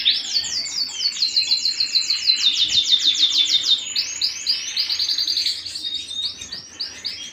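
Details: Canary singing at home: a rapid, loud series of buzzy trilled notes, repeated about three times a second, high and bright, then shifting into a faster rolling trill that fades slightly near the end.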